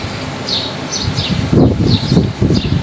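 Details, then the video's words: Several bright, high chirps from wild birds on a fine, windy day, each note briefly sliding downward, spaced about every half second. Gusts of wind and leaf rustle rise in the second half. "Ganda pakinggan ng huni ng mga ibon"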